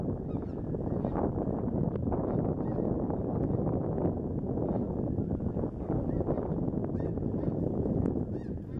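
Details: A flock of about 50,000 snow geese, which returns each year to Mallard Corner, Arkansas, makes a dense, continuous roar of overlapping nasal honks and yelps, with no single call standing out.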